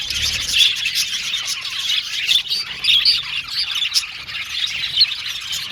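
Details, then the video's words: Male blue and violet budgerigars in an aviary colony give squawky chirps and short whistled notes over a softer bed of chatter, with several louder bursts standing out. "Beautiful budgies chirping sound"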